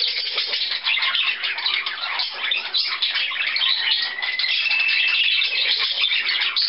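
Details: A canary, recorded indoors on 4 April 2010, sings a nonstop stream of fast, rattling trills and chatter, with a few clearer whistled notes breaking through near the end.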